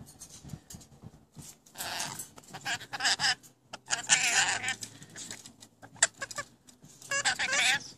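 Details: Several new pet rainbow lorikeets talking: scratchy, speech-like phrases in bursts of one to two seconds, with rising and falling warbles and soft background rustling between them.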